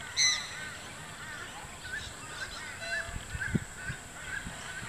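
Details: Wild sulphur-crested cockatoos in a group on a lawn at Sherwood Arboretum at dusk, some squabbling over a stick. One loud, harsh, raspy screech opens, followed by softer scattered chattering calls over a steady high hiss.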